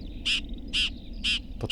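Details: Red-backed shrike in Małopolska, Poland, at a riverside in May, among spring songbirds; it does not sing but rather screeches: three harsh, rasping screeches spaced about half a second apart over a low background rumble.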